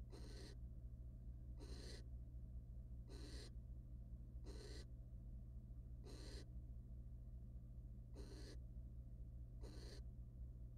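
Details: Wild barn owl pair at a research nest box, the male mating then preening the female; seven rasping hiss bursts roughly every one and a half seconds, with a constant low hum in the background.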